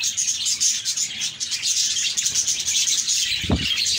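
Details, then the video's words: Several contented parakeets twitter at once, with a steady stream of sharp squeaky chirps and brief clear whistles, and a short low knock just before the end. "Budgies Chirping"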